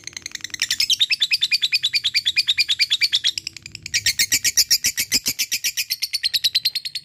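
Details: Long ngekek chatter from a lovebird, meant to provoke others into answering: dense, scratchy pulses about six per second, a brief pause, then a louder, brighter burst continuing to the end.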